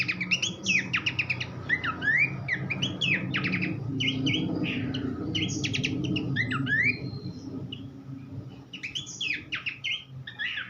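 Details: Horsfield's babbler tutor song for songbird training: quick chattering phrases and swooping whistles, busier at start and end, with a stretch of low rumbling background noise in the middle.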